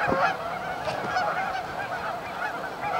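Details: Brief burst from a staging flock of Canada geese on Amber Trails Lake, Winnipeg: overlapping nasal honks, a few louder individual calls rising above the dense chorus.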